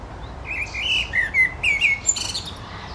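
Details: Common blackbird perched in a linden tree in Helsinki, Finland, June 2013, singing: a mellow fluted phrase of rising and falling whistled notes, ending in a brief high squeaky twitter, over faint background hiss.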